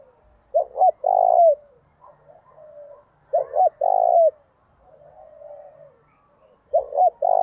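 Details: Spotted dove lure bird giving urging and calling coos used to attract wild doves: low hollow phrases of two short notes and a longer drawn-out coo, repeated about every three seconds, with softer, fainter coos in between.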